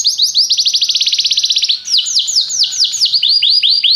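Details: Canary singing a training song: a fast, even trill of high notes for nearly two seconds, then a string of loud, sweeping downward-curving whistles repeated about twice per second, bright and piercing throughout.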